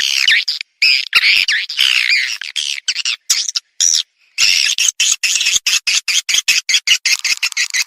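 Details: Swiftlets, a calling sound meant to draw birds in: bursts of high, shrill twittering chirps chopped by abrupt brief silences, giving a stuttering on-off rhythm, with faster clipped chirp bursts toward the end.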